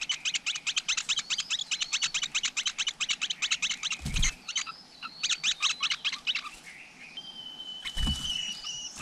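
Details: Close-up at a wild flowerpecker nest holding chicks: fast runs of high, clicky chips that pause briefly, broken by two dull knocks, then a clear, level whistled note near the end.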